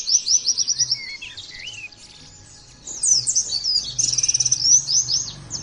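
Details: Oriental white-eye singing, from audio meant to train white-eyes to sing: an opening run of rapid high chirps, a near-silent pause, then a louder stretch of dense, overlapping twittering.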